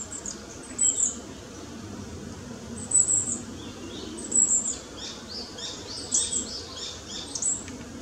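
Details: Fledgling long-tailed tit just left the nest, foraging among high and low branches; brief very high squeaky notes every one to two seconds, followed by a scatter of softer twittering calls.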